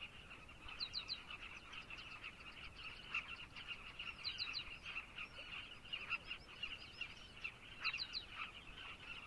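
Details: Colony of carmine bee-eaters in Zambia, many birds calling at once in a continuous throaty chatter, punctuated every few seconds by quick runs of three or four high, thin chirps.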